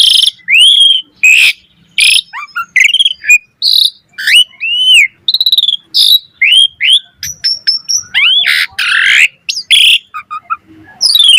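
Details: Rich, varied song of an Asian pied starling for training other starlings, a dense stream of rising whistles, harsh bursts, clicks and squeaky notes with few pauses.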